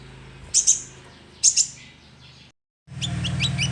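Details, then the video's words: Young sunbird calling as a lure sound: two quick pairs of sharp, very high chirps about a second apart, a brief silence, then fainter high notes over a louder low droning hum. "Pancingan suara konin"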